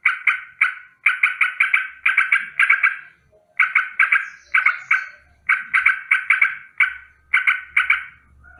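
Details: Morning alarm of a sooty-headed bulbul: repeated bursts of harsh, rolling paired notes separated by short silences, with a low hum late on.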